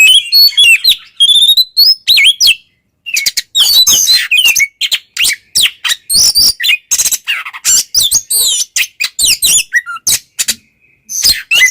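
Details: White-rumped shama in full 'ngeplong' song, played to provoke rival shamas; a long rich stream of fast whistles, slurred notes, harsh rasps and chattering bursts, barely pausing.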